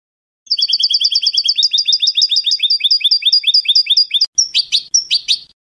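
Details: European goldfinch singing in Spanish salon style (canto de salón, canto al eco, without endings), a training recording: a long rapid trill of paired high twittering notes, about two per second, then a brief break and sharper buzzy high phrases. No background noise.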